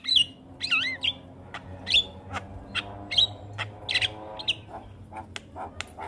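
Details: A Javan myna song for tutoring young birds opens with twisting, looping whistles, followed by scattered clicks and short whistled notes that grow sparser and quieter toward the end.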